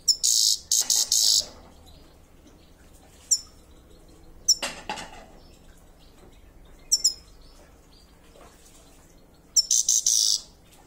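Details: A grey-headed goldfinch in Kulob, Tajikistan gives bright, high tinkling twitters in short bursts, with a few quick chirps in between and long quiet gaps.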